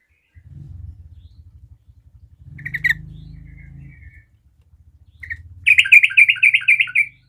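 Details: Sooty-headed bulbul in 'garuda' style song, meant to set other bulbuls singing: a low rumbling hum throughout, a sharp chip and soft twitter midway, then a closing burst of rapid, looping whistled notes.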